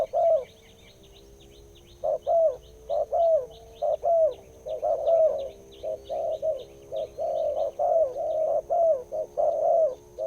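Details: Spotted dove with a big, deep voice, a wild bird followed for nearly two years, delivering a long series of low, hollow coos about once a second, with faint high chirps of other birds behind.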